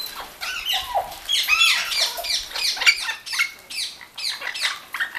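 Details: Several orange-winged amazons bathing in a bird garden in Hungary: continuous chorus of raucous, grating squawks and screeches, rising and falling in pitch, overlapping with no pauses.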